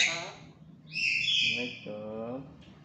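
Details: A tame, talkative black-capped lory gives a voice-like syllable, then a drawn-out, grating high screech, followed by lower, humanlike chatter.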